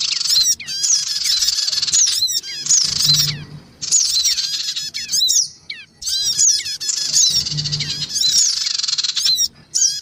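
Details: Black-winged cuckooshrike lure recording of noisy male and female birds with young, used to attract small wild birds: dense harsh buzzy squawking in long bursts, broken by quick chattering twitters and short gaps, with a faint low hum.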